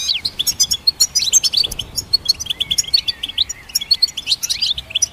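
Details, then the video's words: ['Goldfinch hybrid song for training songbirds: a burst of quick high chirps, then slurred warbling notes and a renewed run of tinkling twitters near the end.'] "Goldfinch Symphony"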